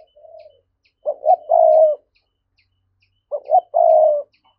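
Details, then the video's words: Spotted dove cooing in thúc style as a lure for wild doves: a soft short coo, then two loud phrases, each two quick rising notes and a long steady coo, about two seconds apart. "Giọng cu gáy thúc hay, anh em mở lên kích bổi rất hiệu quả"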